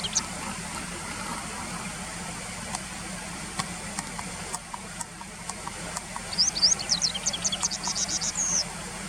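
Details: Japanese wagtail, taken from a field-guide recording, with late-August 2020 riverside footage: after scattered clicks, a quick burst of sharp, high, zigzagging chirps near the end, over a steady low traffic-like rumble.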